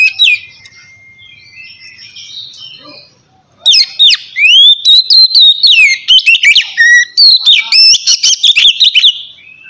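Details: Relaxed, steady white-rumped shama singing meant to coax lazy birds to sing; after about three seconds of quiet, faint notes, a loud stream of whistled slurs, rapid chips and warbled trills runs to the end.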